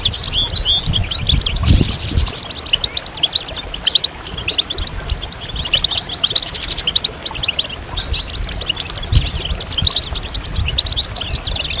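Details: A chorus of European goldfinches chattering together to encourage males to sing. Rapid high twitters and liquid trills overlap continuously, with a short buzzy patch near two seconds and a soft low background hum.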